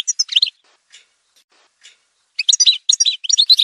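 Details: Goldfinch of the Algerian parva form, from a song montage: tumbling bright twitters, then near silence with faint notes, then a loud run of quick liquid chirps.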